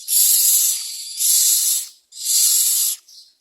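Myna chicks begging: three harsh, hissing rasps, each close to a second long, with short pauses between.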